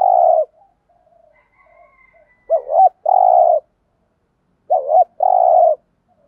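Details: Spotted dove cooing in the thúc gù style, used to stir up wild doves: a short hooked note followed by a longer buzzy mid-pitched coo, the pair given twice with faint softer notes in the gap.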